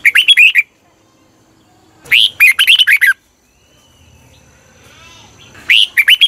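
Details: Thai red-whiskered bulbul song used to rouse caged birds or as a decoy. Three short bursts of rapid, chirpy, warbled whistles are separated by quiet gaps of one to three seconds.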